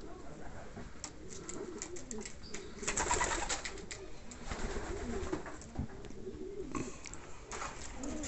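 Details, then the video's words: Homing pigeons of Andalusian type in a loft, several birds cooing in low, rolling, overlapping phrases throughout, with wing flaps, shuffling and clattering noises from the loft. "Ανδαλουζια ταχυδρομικά περιστέρια"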